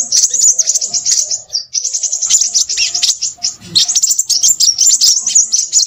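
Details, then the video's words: Crimson sunbird pouring out lively song: a very high, sizzling twitter broken by a brief pause near the start, then continuing in choppy rapid bursts. "burung sepahraja ribut"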